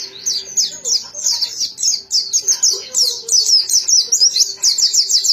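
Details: Lively white-eye song, dense high chirps and quick whistled slurs strung together over several seconds, growing steadier and more rapid in the latter half.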